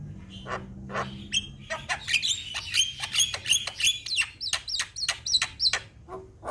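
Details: Jalak kebo (Javan myna) chattering song from a training recording: rapid harsh buzzes and clicks with a thin sustained whistle, then repeated looping whistled notes near the end.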